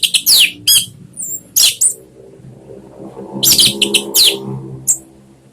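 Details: Orange-headed thrush lure song to encourage a kept bird to sing: dense, scratchy, high twittering bursts over a steady low background hum.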